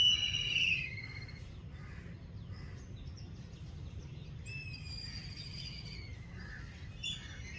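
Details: Black kite scream call: a loud, high, quavering whistle that falls in pitch at the start, then a series of thinner descending whistled screeches later on, with low background noise throughout.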